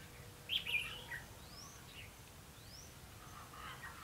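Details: Red-whiskered bulbul recorded during a trapping session on a rainy, windy day, 31 October 2016: a short burst of bright, warbled notes near the start, then thin rising whistles from another bird over steady background hiss.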